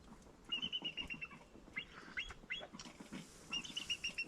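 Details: An eagle far off in the distance in the Alaskan backcountry in winter, by frozen rivers, gives thin, high whistled notes in quick chittering runs, twice over a few seconds, with faint rustling and low background sounds.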